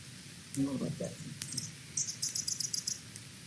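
Anna's Hummingbird gives a quick run of thin, scratchy, very high buzzy notes, about six in a second, after a short low murmur like a voice.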